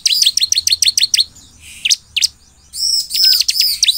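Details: Ciblek songbird in strong, lively song, played to draw replies from other birds of its kind: a fast run of sharp, high chirps, each about a tenth of a second apart, then a pause, a buzzy note, and another bright twittering burst.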